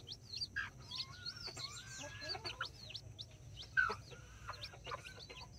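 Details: Nine backyard chicks, five Brahma and four mini, kept with two mother hens in Colombia; many high chirping peeps and upward-sliding whistles, plus a few clucks and a sharp louder call near the middle.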